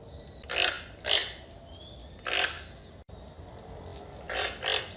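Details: Toucan giving harsh, croaking calls in pairs, broad bursts separated by pauses of about a second, against a hissing background.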